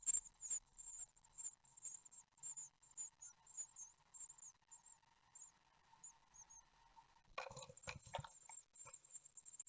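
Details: Nine-day-old great tit nestlings at an Ostwald nest, 15 June 2020, beg at feeding time with repeated high thin notes over a soft low hum. Near the end comes a sudden loud rustling and scraping burst.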